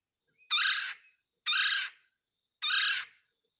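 Red-bellied Woodpecker giving three harsh, rolling 'kwirr' calls, each about half a second long and a little over a second apart, with nothing else heard.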